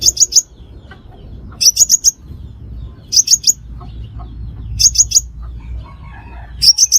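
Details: Crimson sunbird lure call, used for trapping, giving quick bursts of three or four thin, very high, sharp chips, repeated about every one and a half seconds over a faint low hum.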